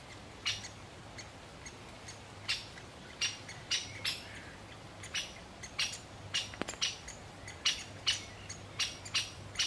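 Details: Male great spotted woodpecker feeding its chick and calling; sharp, high broadband chip notes repeated roughly every half second to second, steady series over faint rural background.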